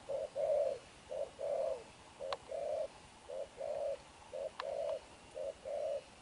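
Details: Spotted dove, a freshly captured wild bird, in energetic fast cooing at midday. Soft low hooting coos alternate short and drawn-out, repeating roughly once a second, with a couple of crisp clicks behind.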